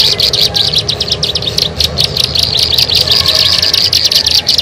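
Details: Bar-winged prinia lure sound: quick repeated high chipping notes in a loud continuous run, with a low rumbling hum beneath.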